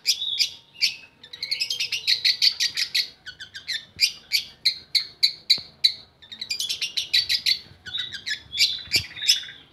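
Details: Long-tailed shrike song for luring quiet shrikes into singing: long, dense chattering of rapid high notes in bursts of about three per second, broken by brief pauses.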